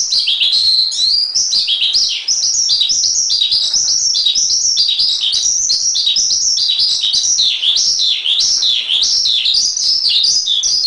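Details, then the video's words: Javan pied starling singing as a training master recording: a loud, continuous stream of high chattering whistles, rapidly rising and falling notes run together without pause, with no other sounds. "Masteran Suara Jalak Suren"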